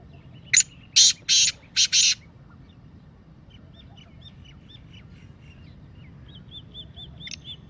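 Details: Black francolin (Kala Teetar) 'masti' calling voice: five loud, grating rasps delivered in a quick burst, then quiet, with faint high chirps and short whistled notes from other birds afterward.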